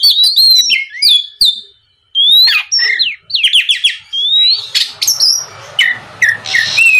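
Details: Oriental magpie-robin singing on a lure meant to make other magpie-robins respond; fast chirps and whistled slurs, a short silence, then rapid repeated notes over faint background noise.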